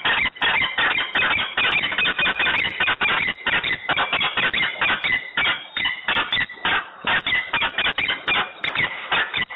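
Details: Peregrine falcon making a row in Włocławek, Poland, at 14:22 on 15 November 2020; harsh, grating calls repeated rapidly and almost without pause, each note rasping with a bright edge, continuing throughout.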